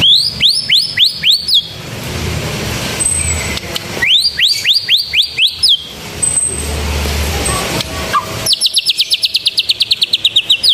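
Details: A white-rumped shama sings canary-like phrases twice: five or six loud upsweeping whistles in rapid series, then a very fast run of clipped high notes, with passing vehicle noise between phrases.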